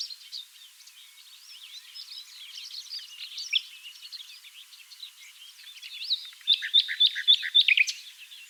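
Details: Dune valley near Oostkapelle, Netherlands, full of singing nightingales: a dense tangle of overlapping twitters and whistles, closing with a loud close-up bird delivering rapid repeated sharp notes.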